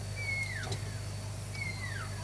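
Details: At an evening campsite at South Gate, Moremi Game Reserve, Okavango Delta, Botswana, in the February wet season, a Pearl-spotted Owlet being mobbed by other birds gives two drawn-out whistles, each sliding from high to mid pitch, about 1.5 seconds apart, over a low hum.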